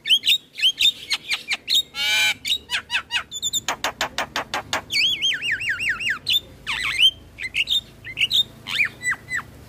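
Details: Morning song of a Javan myna, a busy medley of scratchy clicks, rattling bursts and a series of wavering, looping whistles, ending in sharp downslurred notes.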